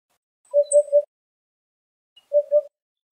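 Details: Hoopoe of the subspecies Upupa epops epops foraging in Greece, digging soft soil with its bill. It gives soft, low, hollow 'oop-oop-oop' notes: a quick triple, then a double after a pause, in silence.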